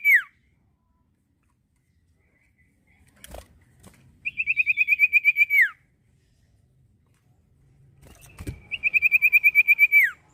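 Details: Common iora (cipoh), described as a quality songbird, delivers two long even trills of about a dozen rapid whistled notes, each ending in a sharp downward slur, separated by several seconds of silence and a faint knock.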